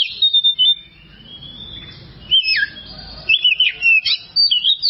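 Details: Oriental magpie-robin (kacer) song from a long masteran tutor recording for training birds. A high whistled note slides downward, then after a quiet gap come twisting, warbled whistles and rapid short phrases.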